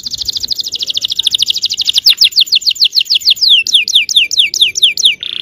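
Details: Yellow canary song used to provoke other canaries into singing: rapid trills of repeated downslurred notes that gradually slow into separate sweeping whistles, bright and high, ending on a short buzzy note.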